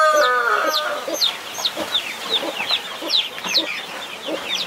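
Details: Hen protecting her brood of 21 chicks opens with a drawn-out, harmonic, nasal call, then lower clucking mixes with quick, high, falling chick peeps repeated about two or three per second.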